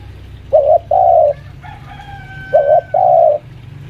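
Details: Spotted dove, a senior lure bird about five years old kept at home, calling while pressing a rival: two pairs of low, hoarse coos, each a short note then a longer one, with faint thin whistled tones between them.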